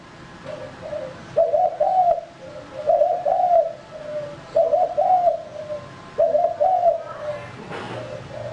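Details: Male spotted dove used as a lure bird, cooing in repeated phrases: a rough, burry double coo then softer lower notes, cycling roughly every 1.6 seconds with faint background hiss.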